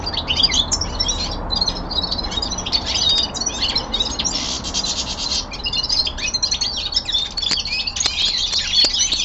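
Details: Common linnet, a young male kept at home, singing a fast, twittering warble of high chirps and trills, with a brief harsh buzzy burst midway and a few sharp clicks near the end.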